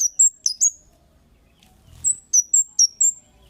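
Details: High 'cit' calls of a Kemade bird, used as a lure for other birds: a quick trio of sharp, shrill descending chirps, a silent gap, then four more evenly spaced piercing notes.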